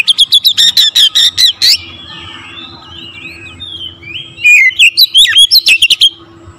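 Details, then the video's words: Oriental magpie-robin singing energetically, used to rouse other magpie-robins. It opens with about ten rapid, loud, buzzy chips, drifts into soft, wavering whistles, then returns to a burst of sharp, twisting notes and chips. "TERAPI KACER LAIN LANGSUNG TERPANCING EMOSI GACOR DOR"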